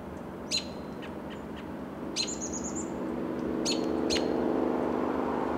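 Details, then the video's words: At dusk in March 2024, an American robin perched on a Coast Live Oak in California's Del Monte Forest repeats short, piercing call notes at uneven intervals, with a brief high whistled phrase, while a low rumbling background grows louder. "Calls of American Robin"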